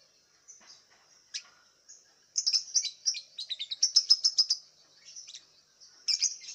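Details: Contest lovebird from Singkawang, West Kalimantan, caged and bathed with a morning spray. A few isolated chirps lead into a dense two-second stretch of fast, twittering, buzzy notes. Another short chirp burst comes at the end.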